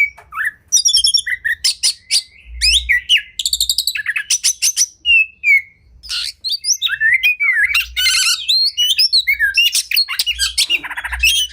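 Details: White-rumped shama (kacer) singing a long, varied training song: clipped chips, high ringing notes, zigzag whistles and short trills packed together, faint low thumps underneath.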